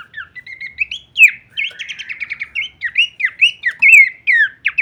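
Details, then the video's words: Horsfield's babbler performing a full-variation song: soft whistles lead into a buzzy trilled passage, then loud slurred notes that swoop downward, repeated at a lively pace. "masteran andalan khas burung pelanduk semak suara full variasi kleperan"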